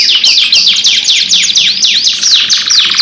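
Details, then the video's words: Lure song of a canary, lively and long-running, two-in-one style: steady series of bright high notes that swoop downward, about four each second, ending in a rattling trill. "PANCINGAN KENARI GACOR PANJANG 2 IN 1 | CANARY SINGING"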